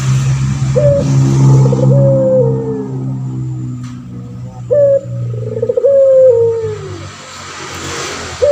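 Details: Pelung turtle dove, a male used as a master bird, coos twice: a quick rising note then a long falling tone, over a strong low hum and background clatter.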